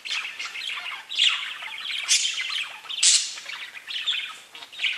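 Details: Steady warbling chatter from pet budgerigars, buzzy squawks and quick chirps layered together, with louder sharp calls breaking through every second or so.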